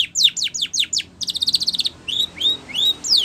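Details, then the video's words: Spanish Timbrado canary song for training: rapid descending whistles, a clipped metallic rattle of repeated notes, then slow, drawn-out rising and falling whistles. "Spanish Timbrado song For Training"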